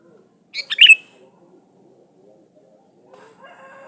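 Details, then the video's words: Sooty-headed bulbul singing as a lure for rivals: a single short, bubbly phrase, followed by faint low background sounds. "SUARA BURUNG KUTILANG GACOR SATU INI AMPUH BUAT SUARA PANCINGAN"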